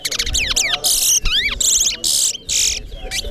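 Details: Towa towa bird singing at a bird singing competition in Corriverton; rapid bright phrases of falling and rising whistled sweeps alternate with dense buzzy bursts, separated by short pauses, with faint background voices.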